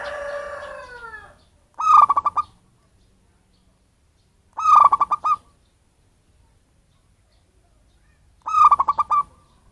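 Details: Wild local zebra dove from its natural habitat, recorded as a lure for catching birds. A descending drawn-out sound opens, then three stuttering coo phrases come roughly every three seconds.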